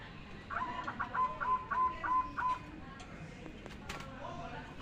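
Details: Zebra dove giving a burst of rapid short notes that settles into four or five longer, level coos, then quiet with scattered clicks and faint background noise.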